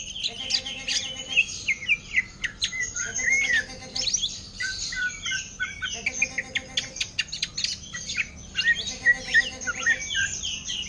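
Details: Caged greater green leafbird delivering a song modelled on orange-headed thrush style: continuous high twittering, clicks and rapid slurred whistles, broken by repeated short low buzzy tones about every two to three seconds.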